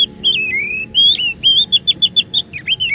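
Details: Oriental magpie-robin singing as a lure for other magpie-robins to sing long phrases; continuous clear whistled notes, some held and sliding, followed by a fast run of short repeated chips and a falling whistle.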